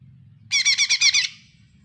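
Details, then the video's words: Lesser green leafbird song used as a lure to coax a silent bird into singing: a brief burst of about six rapid, high, harmonic chirping notes, sharp and slightly trilled, over a low background hum. "pancingan CUCAK ijo mini BISU susah bunyi"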